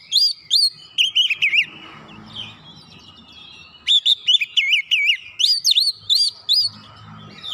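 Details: Rival-provoking song of an Oriental magpie-robin: rapid bursts of high, strongly bending whistles, a brief lull of softer notes, then a long energetic sequence of repeated phrases.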